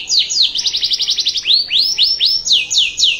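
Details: Canary master song for training other canaries: brisk trill of high falling notes followed by slower, looping swoops repeated about every third of a second.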